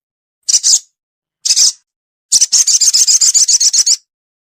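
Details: Lure call for sogon that are hard to coax down: two brief high chirp bursts, then a rapid buzzy trill of fast repeated notes lasting nearly two seconds.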